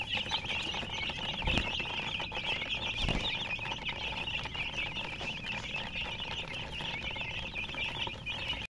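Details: Colour chickens (murgi, hen) chirping nonstop: a dense band of high, thin peeps overlapping without pause, over low background rumble and a couple of soft knocks.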